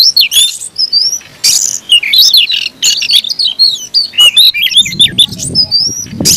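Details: Caged Oriental magpie-robin in a fierce, aggressive fighting song: rapid varied whistles, sweeping slurred notes and harsh buzzy bursts delivered almost without pause, with faint low background noise in the last seconds.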